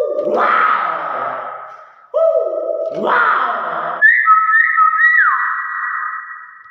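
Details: Common hill myna, a kept bird, giving two rasping, voice-like phrases followed by a clear, wavering whistle that drops in pitch and holds steady.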